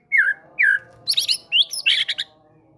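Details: Fighter white-rumped shama showing off great tit material to draw quiet birds into song. Two downslurred whistles are followed by a quick cluster of high, harsh, chattering notes.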